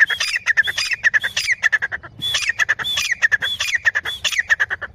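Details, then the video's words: Loud, repeated harsh calls from a female grey francolin: grating squawks in rhythmic phrases about every half second, with a short pause midway before the series resumes. "teeter boli Grey partridge"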